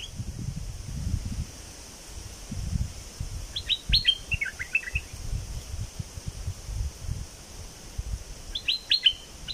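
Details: A bulbul from southern Thailand, a recording meant to excite birds for trapping, gives a short phrase of bright, slightly descending chirps, then a pause and a briefer repeat, with faint low background noise.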